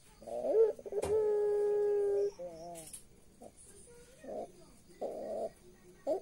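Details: Puter pelung turtle dove with an eerie laugh: a short rising note, then one long, steady, hollow coo and a few wavering nasal notes. Soft, muffled background noises and bumps follow.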